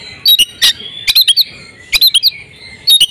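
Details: Female oriental magpie-robin in breeding condition, calling to stimulate males to sing: scattered sharp chips and short whistles in small clusters, with a faint drawn-out whistle between them.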